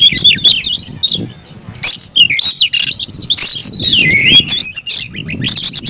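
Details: Oriental magpie-robin kept as a cage bird, giving an aggressive fighting song: sliding whistles and harsh squawky bursts in a busy stream, with low background rumble.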